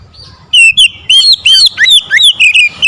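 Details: Oriental magpie-robin singing loudly and forcefully after being provoked by a rival, unloading its full repertoire: after a quiet start, a rapid run of loud, sweeping whistled notes, some rising, some falling, about eight phrases in under three seconds.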